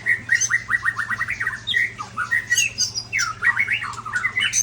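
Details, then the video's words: From Ujong Pancu in Aceh, a large-bodied white-rumped shama delivers rapid rhythmic whistles in quick repeated runs with some harsher squawky notes, backed by a low constant hum. "Murai Body Besar Ujong Pancu Aceh"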